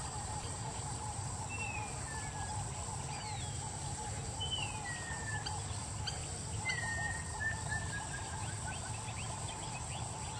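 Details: White-faced whistling duck in Gambia, 2010: clear, thin whistles slurring downward in short runs of two or three notes, over a steady rumble of background noise and a high insect-like hiss.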